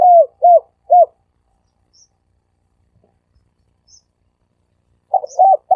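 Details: Lure call of a dove, 'sam kuk' style: three short arched coos, a gap of about four seconds, then a new burst of close, hooting coos begins.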